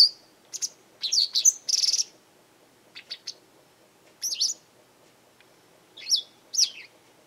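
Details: Garden Japanese wagtail calling often, possibly making demands, warning others off or holding territory; short, bright, slurred chirps come singly and in little groups of two or three, spaced by brief silences.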